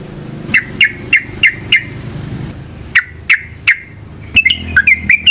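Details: Yellow-vented bulbul (trucukan) singing, used as a lure to train other trucukan: sharp downward chirps repeated about every third of a second in two series, then a quicker jumble of higher notes, over faint low vehicle hum.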